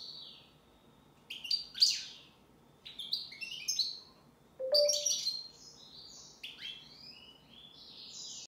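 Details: European goldfinch singing: bright, high tinkling twitters and quick liquid trills in three or four short bursts separated by brief pauses, with one lower buzzy note inside a busier phrase near the middle; otherwise quiet.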